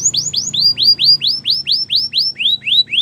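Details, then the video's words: Belgian canary singing a steady run of loud rising whistled notes, about four each second, slightly lowering in pitch toward the end. "Belgian canary singing!!"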